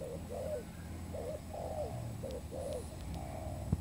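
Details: Spotted dove cooing used as a trapping lure, a series of mellow, low, slightly rising-and-falling coo notes in quick groups, with steady low-pitched hum beneath and a single click near the end.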